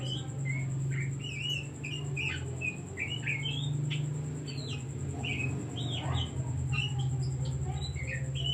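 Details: Oriental magpie-robin in full song as a decoy to make stressed or quiet birds sing: a long, busy run of short whistled and chipping notes, quickly varied in pitch, over a persistent low hum and steady high whine.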